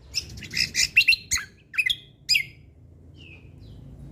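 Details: Lombok Sumatran leafbird in full active song mixing in natural sounds. A fast jumble of high, chattering, twittering notes runs for two and a half seconds and is followed by a soft, thin whistle over a quiet low rumble.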